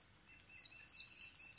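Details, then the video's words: Swainson's warbler song, loud and clear, with a drawn-out slurred whistle dropping in pitch, then quick emphatic ringing notes over a constant shrill insect hum. "Swainson's Warbler"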